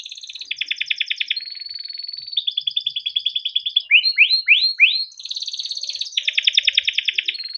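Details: Yellow canary, a kept bird, singing a long training song for young canaries: rapid buzzy rolling trills of repeated notes, a run of rising sweeping whistles midway, then more fast rolls.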